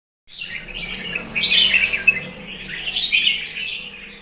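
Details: Red-whiskered bulbul in morning and competition singing: a continuous run of bright, warbled, chattering phrases, high and fluttering, swelling louder midway, with a faint low hum beneath.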